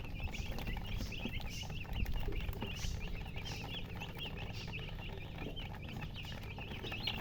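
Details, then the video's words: Just-born chicken chicks calling loudly, about four sharp high chirps a second from several birds at once, the notes uneven in timing and slightly bent in pitch, over a low droning hum. "Tot Murgi chicks chirping sounds Just Born Baby Gallina FRACAS Chicks Piar Loudly Sound"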